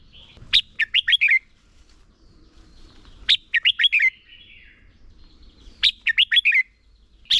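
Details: Decoy red-whiskered bulbul singing in competition to coach other birds: three clean phrases, each a sharp note followed by four fast liquid whistled notes, repeated about every two and a half seconds with quiet between.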